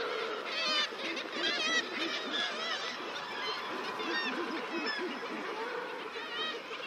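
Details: Seabird colony din: common murres (guillemots) give deep, growling crowing calls that overlap continuously, with a razorbill growl, higher wavering kittiwake calls and thin rock pipit notes above.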